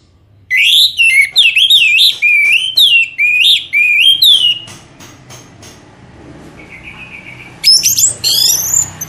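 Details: Lure recording of an orange-headed thrush used to get birds singing, with a string of loud, wavering, up-and-down whistles, a softer steady note, then more high sweeping phrases.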